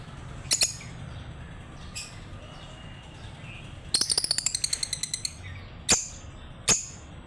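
Lovebirds give sharp, high chirps, isolated at first, then a rapid burst of about a dozen clicking notes near the middle, with a low background hum.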